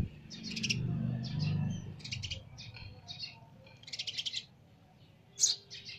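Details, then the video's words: Young sparrow giving clusters of sharp, high chirps in rapid bursts separated by short pauses, ending with a loud squeaky note and two quick chirps; a low rumbling noise sits under the first two seconds. "Baby Sparrow Sound"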